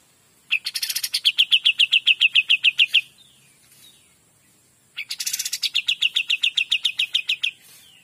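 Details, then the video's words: Kapas tembak in 'gacor dor' song: two energetic phrases, each starting with a harsh buzzy flourish and running into a fast, even series of sharp high chirps, with a soft descending slur between them. "KAPAS TEMBAK GACOR DOR"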